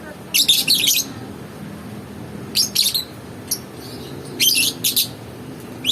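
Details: Lovebird giving loud, grating chatter in clustered bursts, a long rasping run at the start, then paired and single shrill chirps at irregular intervals.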